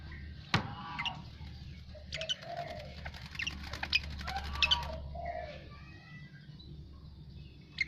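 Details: Freshly bathed Asian pied starling in song: a loud snap, then long stretches of dry rattling clicks mixed with short whistled and gurgling phrases, fading to quieter notes at the end.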